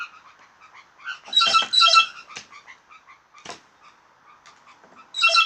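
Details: Blue jays making odd sounds: scattered soft clicks, then loud bursts of stacked, harsh, nasal notes around the middle, a sharp click, and another harsh burst at the end.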